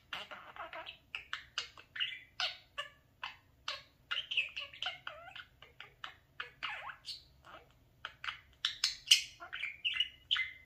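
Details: Pet parakeet at a mirror chattering almost nonstop: a brisk stream of short squawks and chirps, some rising whistled notes, growing louder toward the end.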